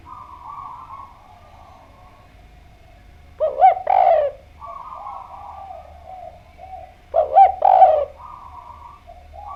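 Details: Spotted dove in lively song, played to lure other doves: two bursts of short, soft, hollow coos about four seconds apart, separated by a faint humming background.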